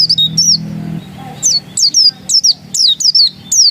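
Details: A still-original pleci dakun, the Oriental white-eye, pours out quick high down-slurred whistles, briefly pausing, then resuming in rapid clustered bursts, with a faint low murmur underneath.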